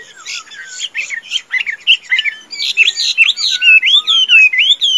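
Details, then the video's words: Chinese hwamei in a cage, a tame bird praised for singing and fighting, starts with scratchy jumbled notes, then builds into clear upslurred and downslurred whistles repeated about twice a second. "Họa Mi Thuần, Hót Tốt - Đấu Tốt"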